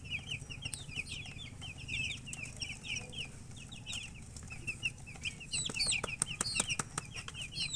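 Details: Baby chicks peeping in quick runs of short, high notes, joined late by sharper, higher chirps and tapping sounds, over a constant low hum.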